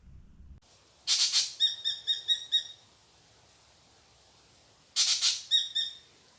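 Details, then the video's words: Spangled drongo call from Australia, compared with the similar sacred kingfisher call: two bursts, a harsh, scratchy rasp, then five or six quick metallic notes, each burst about a second long and four seconds apart. "That was the spangled drongo call. So similar calls, We'll play the next two."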